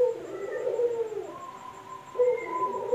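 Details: Male Barbary dove released inside a home, uttering a deep, drawn-out, rolling coo that falls at the end, followed by the start of another.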